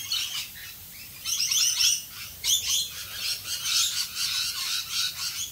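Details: Several rainbow lorikeets in Australian rain give high, grating screeches in bursts, a loud cluster after a short pause, then quick pulsing chatter continuing to the end, with rain hissing throughout.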